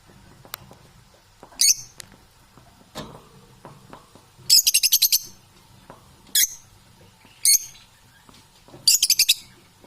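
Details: Parrot calls: single high squeaky notes alternate with fast rattling bursts of repeated pulses, spaced a second or two apart, in a quiet room.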